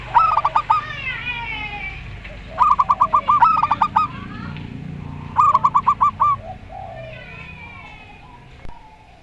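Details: Local Rondo Semoyo zebra dove and a strange-sounding zebra dove answering each other: three separate bursts of fast rolling coos, each about a second long, over a low background hum.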